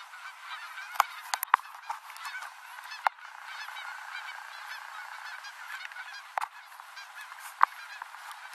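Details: Canada geese landing on the Rogue River in Oregon at the end of the day; a steady chorus of honks is broken by several sharp clicks and knocks from the recordist riding a bicycle.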